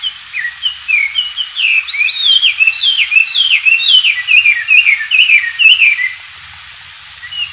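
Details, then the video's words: Oriental magpie-robin singing freely in the wild, a tutor song for white-rumped shamas: fast, varied whistled notes sliding up and down in a continuous chattering run, then a pause and one last whistle. "burung wambi gacor dialam liar"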